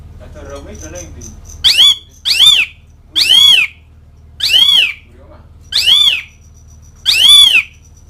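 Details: Calling Asian pied starling aimed at mates and rivals: six harsh, nasal, arching squawks roughly one per second, preceded by soft chattering.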